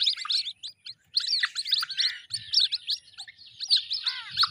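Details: White-breasted waterhen chicks calling together: a dense tangle of thin, high, squeaky chirps and quick rising-falling peeps that overlap without pause, except for a brief gap near the first second, with faint low thumps underneath.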